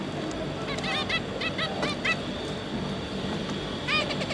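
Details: Zebra finches, two parents and three juveniles, 5 August 2022: a run of short nasal honking calls with stacked harmonics, several in quick succession, then a pause and another cluster near the end over a constant low hum.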